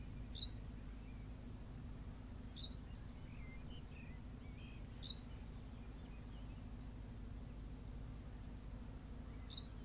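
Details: Berthelot's pipit on La Gomera in the Canary Islands giving short, high, sharply chirped calls about every two seconds, with fainter softer notes between them, over a steady low rumble.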